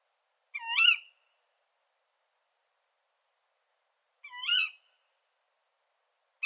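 A female Tawny Owl gives two sharp, harsh, rising-then-falling "ke-wick" calls about three and a half seconds apart, against a silent background.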